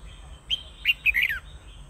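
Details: Red-whiskered bulbul with one quick, lively phrase of four bright chirping notes ending in a falling slur, heard over a faint steady hum.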